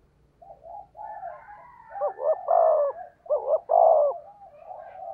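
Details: Decoy spotted dove with a 'thổ' voice in 'thúc gù' cooing: soft lead-in coos, then two loud phrases of a double note and long descending coo, trailing off into softer notes.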